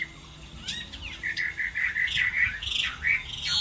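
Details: Hwamei singing in a contest while moulting: after a quiet start, a string of short, steady whistled notes builds into louder, higher, slurred phrases.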